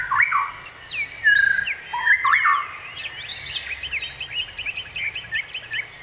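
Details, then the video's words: Whistled bird song with bold swooping notes in the first half, then a fast series of short high chirps repeated about once a second. "bird sound effect"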